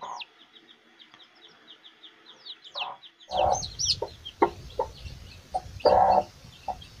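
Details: Chicks and mother hen foraging: a series of thin, descending chick peeps, then the hen's low, short, throaty clucks mixed with scratching and rustling noises as the peeping continues.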